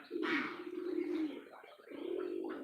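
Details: Domestic pigeons at a farm, calling heavily while others feed, give low, throaty coos; owner expects them to lay eggs soon.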